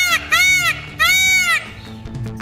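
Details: Indian peafowl, India's national bird, giving two loud, nasal, wailing calls about half a second each, rich in harmonics and separated by a brief gap, over soft background music.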